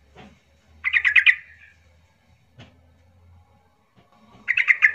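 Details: A yellow-vented bulbul, played as an agitated lure song to set silent bulbuls singing, gives two quick bubbly bursts of about five chattering notes, bright and mid-pitched, separated by a few seconds of quiet with faint clicks and low hum.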